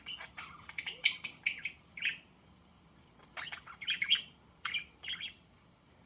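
Budgerigars chirp in quick, scratchy bursts of high warbling notes with brief pauses between.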